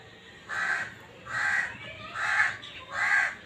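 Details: Four evenly spaced, rasping calls of the black francolin, kala teetar, given as a breeding call, each about half a second long at a fairly steady rhythm.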